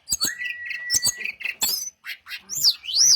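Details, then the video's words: Short burst from a brown-chested jungle flycatcher lure song: a level whistled note, sharp clicks, then rising and falling high slurred whistles, loud and close. "SRDC Sikatan Rimba Dada Coklat - Pancingan untuk SRDC lain pasti nyaut"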